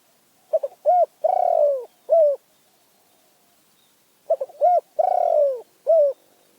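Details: Spotted dove from Phrae, Thailand, delivering two matching phrases about four seconds apart, each of stuttered notes, a short coo, a long pulsing falling coo and a brief final coo.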